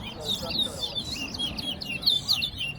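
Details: Chestnut-bellied seed finch (towa towa) singing in a bird song competition at Soesdyke, Guyana: rapid, sweet warbled phrases of slurred whistles, mostly high-pitched, with a second bird singing and faint voices counting in the background.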